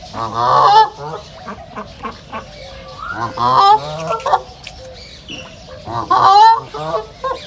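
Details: Loud nasal quacking from ducks in a reserve, coming in three bursts roughly every three seconds, each a cluster of harsh honks with short clucks between, plus some faint bird chatter.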